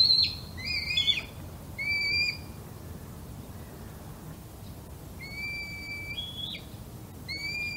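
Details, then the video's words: Red kite chicks calling for food at first light, caught by a microphone left outdoors: thin, high whistled notes held level, then stepping up in pitch, in short bursts separated by quiet gaps, over faint background rumble. "Red Kite Morning"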